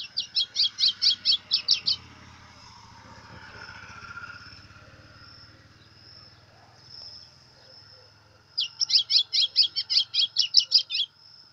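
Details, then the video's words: Brown white-throated seedeater singing a lot: bursts of rapid, evenly repeated high chipping notes lasting about two seconds, a pause with a long thin whistle and soft background noise, then another fast burst. "Golinha Pressão pardo cantando muito!"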